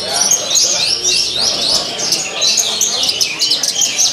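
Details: Caged Javan bush lark singing persistently with rich mimicked fills while hung on a pole at a song competition; dense high chattering with repeated rising slurred whistles, over murmuring voices and other singing birds.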